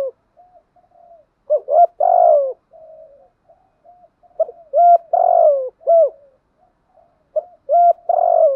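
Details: Southern Vietnamese spotted dove singing the 'gù thúc' driving coo: soft low lead-in notes, then short hooked coos and a long buzzy coo, the whole phrase repeated three times over several seconds.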